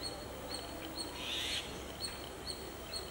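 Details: A red-whiskered bulbul (Pycnonotus jocosus) gives short, thin, high chirps every half second or so, with one brief, fuller chattering note in the middle, over a quiet outdoor hiss.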